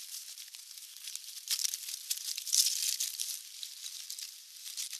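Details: Dense high-pitched crackling and rustling, like wind buffeting or handling noise, with no animal calls.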